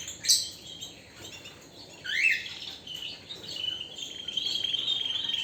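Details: Canary singing in bursts: a sharp high note, then a rising buzzy sweep. A long, even, thin trill builds steadily louder toward the end.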